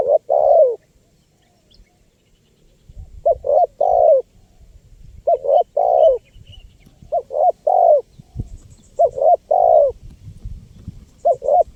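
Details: Spotted dove cooing persistently to attract wild birds: a string of short three-note phrases, each a quick double hoot then a longer one, repeated about every one to two seconds, with faint high chirps from other birds.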